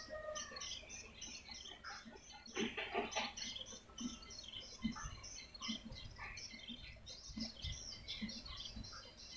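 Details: Attraction call for swiftlets: continuous high, busy chirping and twittering, with a louder burst near the start and soft low clicks dotted throughout.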